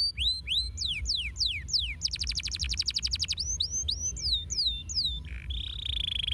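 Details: Domestic canary song: slow falling whistles speeding up, a fast buzzy trill, more swept notes, then a sustained high buzzing tone at the close.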